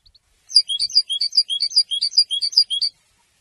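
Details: European goldfinch singing a fast run of bright, tinkling twitters that alternate between higher and lower notes, about ten notes in two and a half seconds, with a clean, quiet background.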